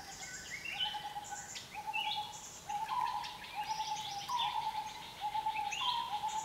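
Asian barred owlet giving a steady run of mellow, trilled hoots that creep upward in pitch, with bright chirps and twitters from other small birds overhead.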